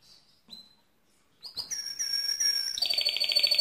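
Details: After faint opening notes, a mosaic canary bursts into a loud whistled tone with a lower harmonic, then changes to a fast beaded high trill.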